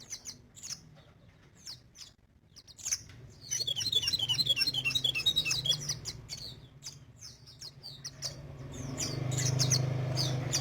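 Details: Crimson sunbird singing actively: sparse high sharp chirps at first, then a dense fast run of high twittering notes in the middle, followed by scattered chirps over a low steady hum.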